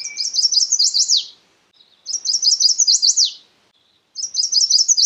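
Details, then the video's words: Chestnut-sided warbler singing: a quick series of high, thin sweet notes climbing into an emphatic downslurred ending, the phrase given about every two seconds, with faint soft chips between songs. "Natural Birds Voice, Bird Natural Sound.Chestnut sided warbler."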